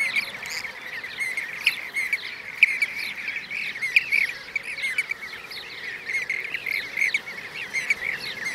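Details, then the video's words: Several Blue-cheeked bee-eaters, Merops persicus, in Şanlıurfa, Turkey, 2016, give continuous overlapping burry trills, some louder notes standing out. Thin, high, rapid chirps of other small birds run through the background. "Yeşil arıkuşu (Blue-cheeked Bee-eater)"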